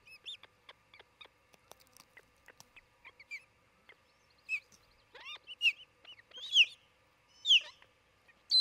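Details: Osprey at its nest in Charlo, Montana, late morning of 27 June 2018; faint clicks and ticks at first, then louder whistled chirps that rise and fall, spaced about a second apart.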